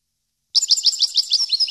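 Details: European goldfinch in a recording for educating captive birds; a steady series of about nine rapid, bright, rhythmic high chirps, roughly seven per second, starting after a brief silence.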